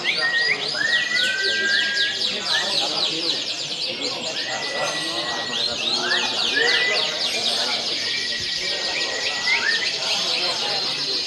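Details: Several caged canaries singing together at a bird singing contest, a canary festival with 15 classes held for a team anniversary in Pasuruan; dense, overlapping rapid high trills and chirps run continuously, with steady murmuring voices of a crowd behind.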